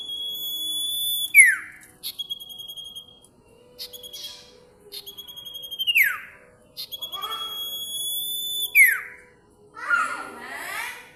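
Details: Shrill, piercing song of a bar-winged prinia: long level high whistles, each ending in a steep falling slur, repeated several times with brief twittering between and a burst of chatter at the end.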